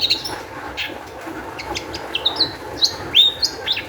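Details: Long-tailed shrike singing to draw other shrikes into song: soft scratchy notes give way to bright, clear high whistles, some held briefly and level, rising in intensity toward the end.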